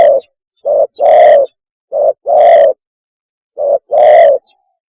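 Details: Mating call of a spotted dove for luring: repeated deep coo phrases, a brief clipped note then a longer full coo, about three phrases roughly every second and a half.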